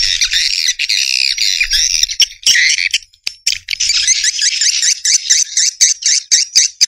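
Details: Swiftlets give continuous buzzy twittering that breaks in the second half into quick, evenly spaced chirping bursts, about four per second.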